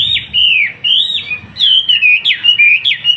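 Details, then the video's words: Wambi, a captive Surabaya bird singing gacor as tutor for young trucukan: long clear whistles that swoop and waver, broken by sharp high-pitched flicks, fluent and loud throughout. "SUARA BURUNG WAMBI GACOR"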